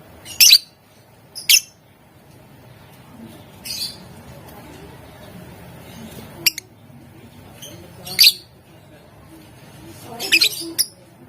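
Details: Lovebird vocalising to goad rival birds into a reply, gacor style with ngetik and ngekek: isolated sharp, high squeaky chirps spaced one to several seconds apart, plus a soft click and low room hum.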